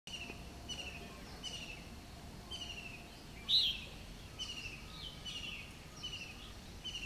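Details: Red-whiskered bulbul (Pycnonotus jocosus) at WII Dehradun in April 2015, giving soft, high chirps about once a second, with one louder, brighter note midway, over a faint background hiss.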